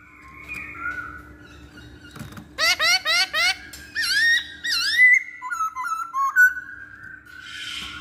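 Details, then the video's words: Masked laughingthrush singing as a lure for other birds: a low whistle, then a fast burst of five loud upslurred notes, rich falling slurs, and a short series of bright clipped whistles. "Pancingan Poksay Hongkong"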